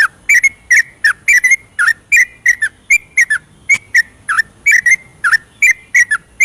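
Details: Night-time 'ropelan' song of a yellow-vented bulbul, played to stimulate lazy or silent birds to sing: a fast stream of bright, liquid whistled notes, each short and bubbly, some dipping down, delivered almost without a break.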